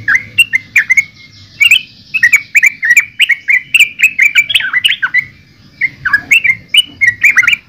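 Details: Yellow-vented bulbul (trucukan) with a busy, gurgling song of quick liquid notes in short runs, separated by a brief gap near the middle, over faint low hum.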